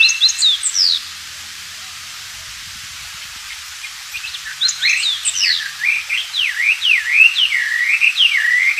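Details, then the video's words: Wild Oriental magpie-robin singing actively, recorded as a tutor song for white-rumped shamas: a short burst of falling whistles, a quiet pause of about three seconds, then a run of clear, rising-and-falling whistled notes repeated in quick succession. "burung wambi gacor dialam liar"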